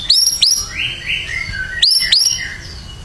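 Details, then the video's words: Burung batu in full song: loud, high whistled upward sweeps repeated in pairs, interspersed with softer slurred descending whistles and chirps. "KICAUAN BURUNG BATU GACOR"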